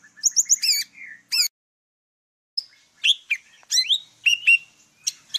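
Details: Golden-fronted leafbird, Vietnam, singing a song used as a trapping lure: quick high whistled notes and rising slurs, a silent gap, then a varied sequence of sharp chirps and looping whistles.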